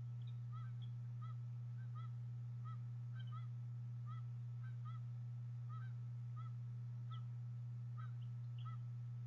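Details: Bald eagle eaglets at the nest as their mother feeds them fish, on a nest camera; short, high chirps repeat in quick clusters about every half second over a steady low electrical hum.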